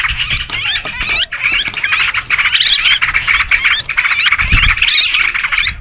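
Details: Noisy gathering of sooty-headed bulbuls used as a bird lure, with steady overlapping squawks and chirps and a faint low thump partway through.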